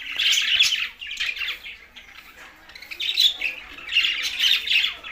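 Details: Green budgies feeding, tagged Larkana, Sindh, chatter in loud raspy warbles that swell, fade briefly, then return twice more. The chirps sound close and busy.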